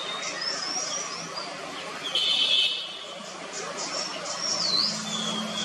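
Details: White-bellied Sholakili (White-bellied blue robin) at Munnar, Kerala, India, in February 2023, giving thin, high whistled notes at an uneven pace, one ending in a quick rising-and-falling slur, over soft background hiss.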